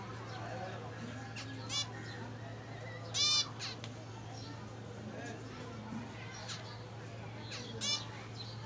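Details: Zebra finch giving three loud, nasal, buzzy harmonic calls, short bursts spaced irregularly over nearly nine seconds, with faint softer chirps between them and a steady low electrical hum underneath.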